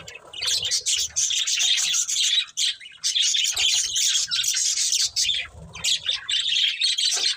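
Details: Breeding pair of budgerigars kept as pets, chattering almost nonstop with dense, scratchy high chirps and warbles, brief pauses near the middle.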